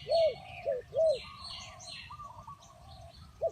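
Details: Spotted dove, called tekukur, luring wild doves: three loud, round coos in the first second, then quieter distant cooing and scratchy small-bird chirps, one more coo at the end.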